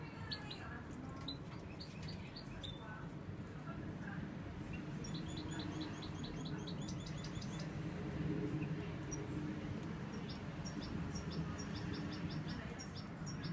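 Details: A brown-carrying European goldfinch, recorded in 2016, sings quick, high, tinkling twitters in short bursts of repeated notes over a steady low rumble and a faint background murmur.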